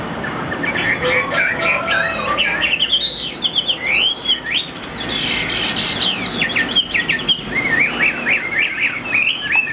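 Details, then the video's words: Kept Chinese hwamei in full song: fast, varied whistled notes mixed with harsh, squawky bursts and a sharp rattling phrase, delivered almost without pause over a faint background hiss. "Tốc độ mỏ quá ok, đầu mặt đẹp chất giọng cực kỳ hay | Họat Họa Mi"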